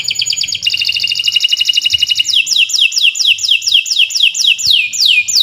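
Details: Canary pouring out a long 'gacor' song for training other birds: a buzzy rolling trill giving way to a steady string of high sweeping notes, about four per second.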